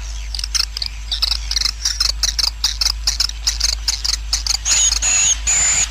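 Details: Swiftlet roosting-colony sound used to attract swiftlets: rapid high clicking chirps, more than two per second, ending in a few longer buzzy twittering notes, over a steady low hum.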